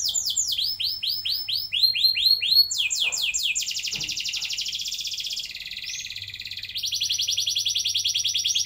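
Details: Canary singing, as a lure for young canaries to start long rolls: arched whistled notes, a run of falling sweeps, a long buzzy roll, then a bright rapid trill, faint hum in the background.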